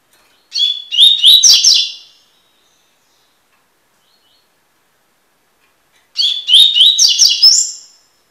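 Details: Tui-tui song of a double-collared seedeater, a tutoring recording: two bright, rapid phrases of clipped rising whistles that climb higher at the end, each lasting under two seconds, with long clean silences between.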